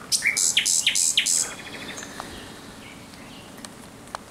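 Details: Thrush nightingale singing at night on 17 May 2023: a loud phrase of about six repeated sharp, high, rattling notes, then quieter scattered clicks and faint distant chips in a calm background.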